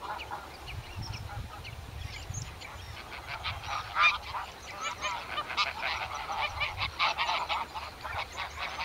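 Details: Greylag geese recorded in Iceland in June–July 2015 give a steady run of harsh, nasal honks, overlapping as several birds call together.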